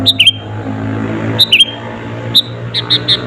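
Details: Sooty-headed bulbul lure song for rival birds: two brief phrases of quick, dipping notes, then softer single chirps trailing off, with a steady low hum underneath.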